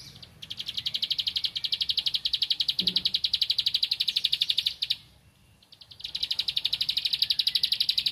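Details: A bar-winged prinia looking for a rival sings two long runs of rapid, loud, high ticking notes, separated by a roughly one-second pause with a faint low thump.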